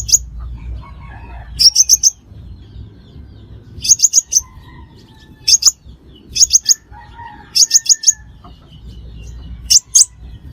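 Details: Crimson sunbird trapping-lure call: regular clusters of three to four bright, sharp, very high chips every second or two, faint lower whistles from other birds between them.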